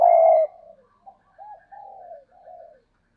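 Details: Spotted dove giving one loud low coo, followed by three softer, sliding hollow coos fading away.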